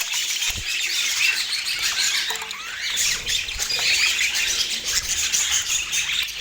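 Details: Pet budgerigars warble and chirp continuously as a group, a bright, high, overlapping babble of squeaks and short squawks without any break.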